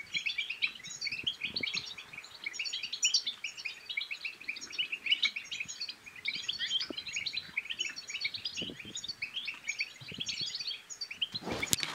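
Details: Continuous chattering European goldfinch song used to prompt silent goldfinches to sing and to court: rapid, jumbled high twittering notes for twelve seconds, a faint steady low hum, and a loud knock right at the end.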